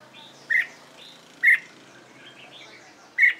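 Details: Caged red-whiskered bulbul trained for competition singing: three loud, short, squeaky whistled notes spaced irregularly, with fainter chirps from other birds in between and a faint background hiss.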